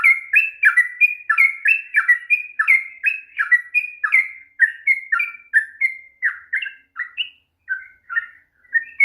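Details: Sooty-headed bulbul delivering a long rolling song to coax silent birds into singing; quick repeated bubbly whistles dropping between two pitches, dense at first, then slowing with short gaps near the end.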